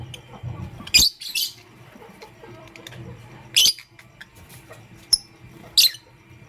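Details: Morning chirping from pet lovebirds, pastel gray and green: a few sharp, high squeaky bursts about two seconds apart, over a faint low rumble.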